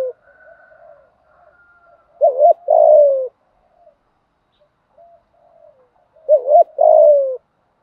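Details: Spotted dove cooing in a fighting style to stir decoy birds into singing: two low phrases about four seconds apart, each a quick wobbling double note then a longer falling hoot, with faint soft tones between them.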